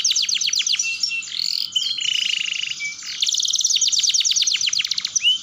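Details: Canary song for training young canaries to roll: rapid repeated downward-sweeping notes, a short buzzy rolling trill, a brief clear whistle, then another long burst of fast falling chirps.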